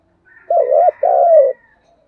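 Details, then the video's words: Spotted dove kept as a decoy cooing eagerly: one low, mellow two-part coo, a wavering first note and a longer, smoothly falling second note, in an otherwise quiet setting. "Chim Cu Mồi thúc gù sung"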